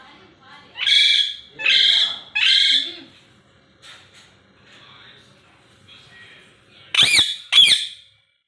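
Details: Pet ringneck parrot having fun and talking: three loud, harsh, raspy squawks about a second apart, then quieter mumbled sounds, ending with two sharp, piercing screeches with rising and falling sweeps.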